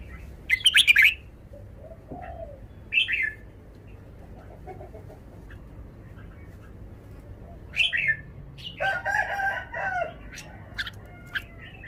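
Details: Red-whiskered bulbul giving scattered short phrases of bright, warbled notes between quiet gaps, with a louder harsh crowing-like burst near the end and faint other bird calls in the background.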